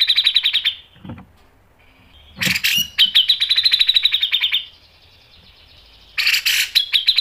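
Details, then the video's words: Actively singing grey-cheeked bulbul, its rasping, sharply shot song used as a lure for other birds: rapid high pulsed chatter in bursts about two seconds long, separated by short silences and a faint thin whistle. "MASTERAN CUCAK JENGGOT GACOR MBESET NGEPIK dan NEMBAK tajam | PANCINGAN CUCAK JENGGOT"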